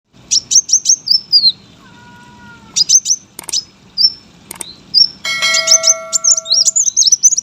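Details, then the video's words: Brown-throated sunbird kept as a competition bird, singing chatty masteran song: high, squeaky rising and falling notes in quick bursts, with steady electronic-sounding tones in the middle and near the end. "KOLIBRI WULUNG GACOR POLL, SUARA MASTERAN BURUNG LOMBA. KOWUL GACOR"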